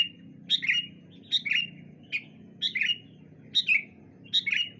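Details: Sooty-headed bulbuls calling back and forth in the morning: paired, bubbly whistled notes repeated about once a second, over a steady low droning hum.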